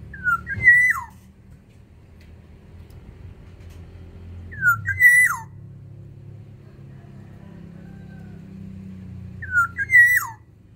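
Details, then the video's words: Black-naped oriole from Sumbawa singing eagerly in an aviary, repeating the same fluted whistled phrase three times, roughly every four to five seconds, with a low hum between phrases. "Keodang emas sumbawa di dalam aviary gacor"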